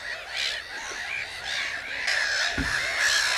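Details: Overlapping rolling, trumpeting calls from several common cranes, growing louder toward the end. One low thump is heard shortly after halfway.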